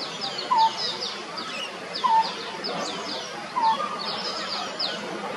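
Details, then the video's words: Lineated barbet at Bishan Park, a bird often heard but seldom seen, giving brief clear mid-pitched notes about every one and a half seconds against a dense background of high, fast chirps. "The Lineated Barbet unique call."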